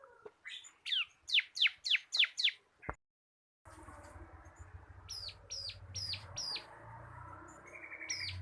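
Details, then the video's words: Captive local bar-winged prinia recorded to tutor cage birds: six loud, sharp descending notes in quick succession, a brief cut, then softer clipped notes of similar shape over a hissing, humming background. "BURUNG MASTERAN CIBLEK KRISTAL GACOR / CIBLEK LOKAL KAPAS SUARA NGEBREN"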